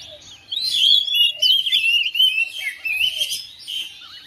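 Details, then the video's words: A domestic oriental magpie-robin replies to another bird within seconds, singing a fast string of varied whistles, upward flicks and trilled notes, with a short descending slur near the close. "KACER RUMAHAN RESPON NYAUT IKUT GACOR"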